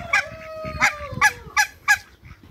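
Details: Hybrid mallard ducks, a pair kept in a backyard with other waterbirds. Five loud, coarse quacks come in quick succession, while a thin, steady whistled tone slowly falls underneath them.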